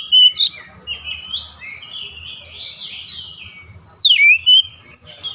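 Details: Oriental magpie-robin, daily rolling-song training: a sharp whistle, a long, quieter, continuous warbling passage, then loud high upslurred whistles and chips.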